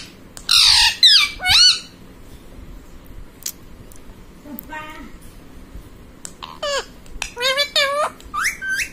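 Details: Pet ringneck parrot talking, said to be saying 'mummy papa': three loud, harsh, voice-like bursts open, then a quiet stretch, then a run of high, wavering, speech-like squawks near the end.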